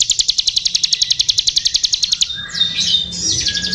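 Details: Bar-winged prinia, kept songbird in full song; a rapid, even series of sharp high ticking notes, about eight per second, for two seconds, followed by varied squeaky twittering phrases.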